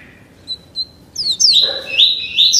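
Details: Young double-collared seedeater, only 30 days old, being tutored in the "tuí tuí Alcântara" song: two soft high notes, then loud, sweet, bright slurred whistles sweeping down and rising again.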